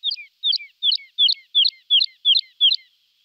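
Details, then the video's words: Singing lark giving a steady run of eight sharp, descending chirped phrases, each with a high trill and a lower trailing note, spaced about three per second, clean with no other sounds. "Жаворонок lark"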